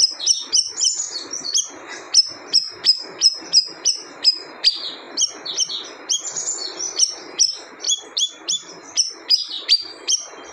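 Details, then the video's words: Fast sequence of high, sharp chirping notes from a siri-siri bird, some doubled or slurred together, continuing almost without pause over a faint steady hiss. "Suara Unik Burung Siri - Siri"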